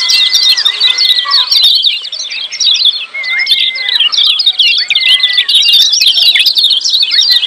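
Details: Lemon-bellied white-eye in loud, crowded 'ciak' calling for training silent birds: continuous overlapping high twittering chirps, with several long flat whistles that bend down at their ends, and a steady faint hiss.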